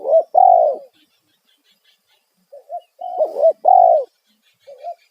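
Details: Spotted dove calling loudly in the 'kuk satu' lure style used to make wild doves respond. Two bursts of husky cooing, each with clipped notes leading into a long held coo, are split by a quiet gap.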